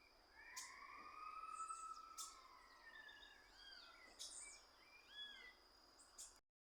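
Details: Chestnut-capped blackbird singing in the wild, in natural surroundings: long drawn whistles rising then gliding down, followed by short arched chirps and sharp clicking notes spread over several seconds, set against a soft rural background hiss.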